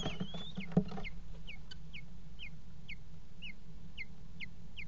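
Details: Common kestrels mating on the rim of a water-tower nest box, 5 February 2018: a few knocks and a thin rising whine at first, then evenly spaced, sharp downward-slurred calls about twice a second above a steady low hum.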